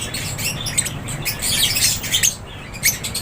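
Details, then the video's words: Lovebirds chirping in an aviary: harsh, squeaky high notes overlapping in quick bursts over a faint low rumble. "LOVEBIRDS CHIRPING SOUNDS"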